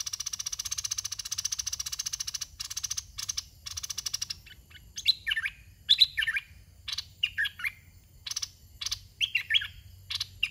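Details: Caged decoy red-whiskered bulbul of the dok taeng type: a long dry buzzing rattle for about four seconds, then short harsh bursts and lively warbled whistled phrases.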